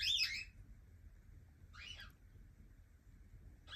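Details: Young cockatiel indoors uttering two brief, scratchy chirps separated by more than a second of quiet room hum, with a third call starting at the very end.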